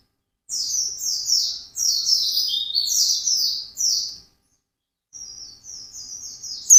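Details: Singing white-eye in gacor ngalas manner. Drawn-out high slurred whistles lowering slightly in pitch, a pause, then a quieter series of thin high notes.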